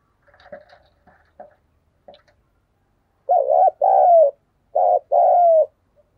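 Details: Spotted dove decoy cooing to prompt reluctant doves to call during rain: a few faint clicks and taps, then two paired coo phrases, each a dipping short note and a longer falling note.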